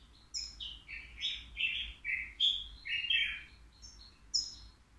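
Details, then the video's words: A three-year-old caged European goldfinch at the Al Qriaa bird market, praised for flawless song, delivers a continuous run of sweet chirps and twittering trills. A sharp high note ends the phrase. "الموقنين بدون أخطاء"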